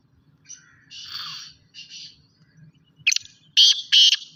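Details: Black francolin, a Sindhi teetar (kala teetar): faint hissy buzzes early on, then loud harsh, rasping bursts in quick succession near the end, with low hum underneath.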